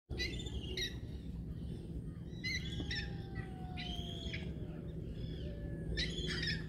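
A young gull gives high, thin, whining squeals in short bursts every second or two, over a steady low rumble of wind or distant traffic.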